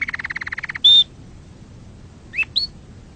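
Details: Canary song meant to excite birds and teach chicks: a short fast trill, one steady whistled note, then two brief upward slurs after a pause.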